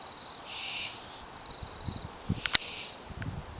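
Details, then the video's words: Barn owls calling at night from nest boxes in a vineyard west of Healdsburg, Dry Creek Valley, California, June 8, 2011: drawn-out, hoarse hissing screeches, one long rasp then shorter ones, with a sharp click. "Barn Owls calling from owl boxes"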